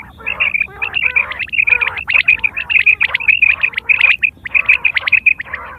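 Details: Quail calls from September 2023, used in hunting and mating: many birds giving rapid, rasping, harmonic squawks with sharp high peaks, tumbling over one another at roughly a hundred notes a minute.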